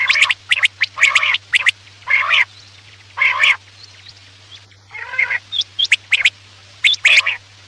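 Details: Quail calling for night hunting: grating, croaking bursts about a second apart, with scattered sharp ticks and a few thin whistled notes near the end, over a faint hum.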